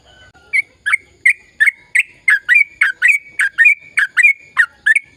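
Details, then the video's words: Sooty-headed bulbul giving an extended chatty song used to encourage silent birds to sing: evenly spaced sharp chirps over a sustained thin whistle, about two notes per second and growing steadier as it goes. "Suara Burung Trucukan Gacor Ropel Panjang Perangsang trucukan bisu biar aktif bunyi"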